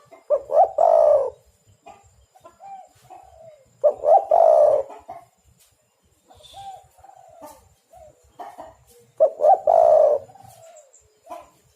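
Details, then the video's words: Spotted dove, known as derkuku or tekukur in Java, cooing vigorously as a trapping lure; three hoarse phrases spaced about every four seconds, each short notes leading into a long rough coo, softer distant coos between. "derkuku super gacor pikat dapat burung bagus"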